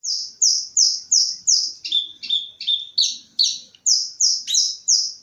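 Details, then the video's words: Bush lark singing a steady run of clear high whistled notes, about three per second, broken midway by lower buzzy double notes before the bright repeated whistles return. "Burung Branjangan"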